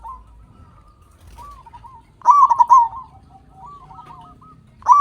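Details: Local zebra dove with a big voice, used as a lure so captive birds start singing: one rich rapid cooing phrase with a trilled centre, soft fluttering notes around it, and another phrase beginning at the end.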